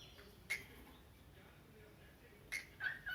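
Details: A cockatiel, always active in the morning, gives a few short, sharp chirps with quiet pauses between them while playing.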